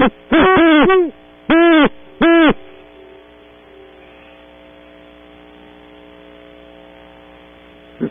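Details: Great horned owl pair visiting a cavity at dawn, Audubon Starr Ranch, California, on camera audio: a few deep, resonant hoots in short groups within the first seconds, then quiet with a faint constant hum.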